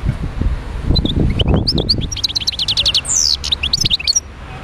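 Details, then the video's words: Wild goldfinch song from Médéa: a few soft notes build into rapid tinkling chirps, then a sharp descending buzzy slur and more twittering, with low rumbling handling noise early on. "تغريد حسون خلوي(المدية)"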